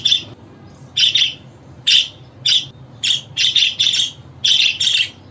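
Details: Budgerigar calling sounds for prompting a pet budgie to sing and respond: a steady run of short, high chirps, some single and some in quick pairs or triplets, roughly two each second.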